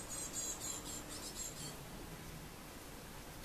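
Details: Great tit fledglings begging for food on 8 June 2018. A rapid run of very high, thin chirps fills the first second and a half, then fades into a low room hum.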